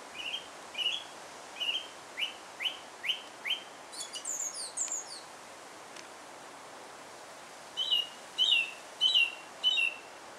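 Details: A song thrush in Alkmaar, Holland, sings bright whistled phrases, each repeated several times: a run of short rising notes, a high thin twitter, then a new phrase four times over.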